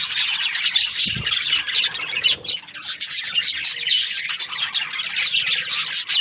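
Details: Chirping Australian budgies in a busy group: bursts of scratchy, buzzy twittering and sharp squeaks overlap continuously, with a brief dip in the chatter near the middle.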